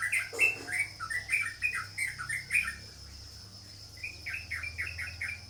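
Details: Sooty-headed bulbul producing loud bouncing chirps in a quick run, a short quiet gap, then softer rapid chirps, over a steady high tone and low hum.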